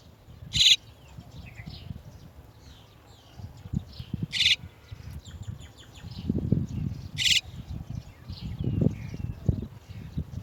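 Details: Chestnut-tailed starling adults arriving to bring chicks out of the nest; three short, harsh, scratchy notes spaced several seconds apart, with soft thin chirps of other birds and low rustling thumps between them.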